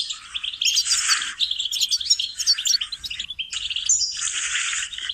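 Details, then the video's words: Goldfinch song used as a singing lesson for training songbirds: bright, dense twittering in bursts, with a quieter gap near the middle and a fresh rush of sharp chirps and trills toward the end. "Training and cultivating melodies singing lessons for goldfinches"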